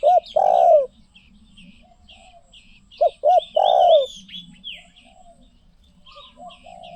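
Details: Spotted dove cooing: two phrases, each a short note followed by a long, drawn-out, falling croon, about three seconds apart, with faint small-bird chirps in the background.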